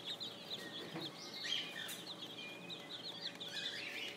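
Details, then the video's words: Group of spring chicks peeping, thin high chirps strung together steadily with a soft background hum. "spring chicks"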